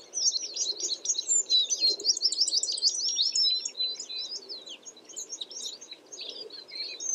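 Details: Lively chatter of American tree sparrows: a fast cascade of high, sweet twittering notes that is strongest early on and thins toward the end. A soft low rumble of background noise continues throughout.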